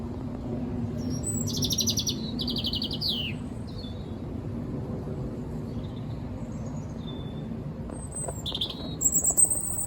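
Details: European robin singing right overhead in winter: high, thin trilled and twittering phrases in short bursts, with a steady low rumble and faint background music beneath.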